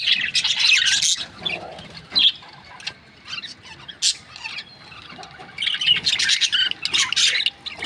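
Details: Budgerigars from breeding pairs give short bursts of scratchy chirping around the first second and again near the end, separated by quieter stretches with faint isolated squeaks.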